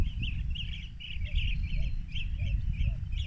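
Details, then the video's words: Rufous-crowned bee-eaters, Banna, Ilocos Norte, Philippines, 19 March 2021, 14:30, digiscoped with a phone: short rippling trilled notes given again and again, about two or three a second, over deep background rumble. "Rufous Crowned Bee-eaters"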